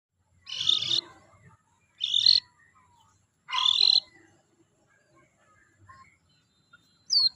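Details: White-rumped shama singing: three loud, rich phrases of mixed whistles and harsh notes about a second and a half apart, each followed by quieter soft notes, with a sharp high note at the end.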